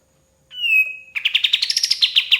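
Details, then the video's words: White-shouldered triller in full song, kept as a training recording for other songbirds: one long steady whistle that fades, then a quick run of sharp, bright repeated notes that step higher partway through. "KAPAS TEMBAK GACOR SUARA PAS BUAT MASTERAN BURUNG JUARA"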